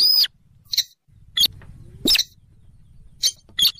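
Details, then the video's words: Rail, local names weris or sintaran sawah, a swamp bird, in a recording used for trapping: short harsh chips every half second or so, one with a brief rising squeak, over a constant low humming background. "suara pikat burung sintaran sawah / weris /mandar dengkur"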